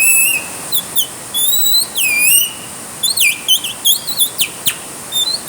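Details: Songbird calling in the rain, giving a lively run of whistled slurred notes, swooping down then up, broken by quick chirps and brief pauses, with steady background hiss.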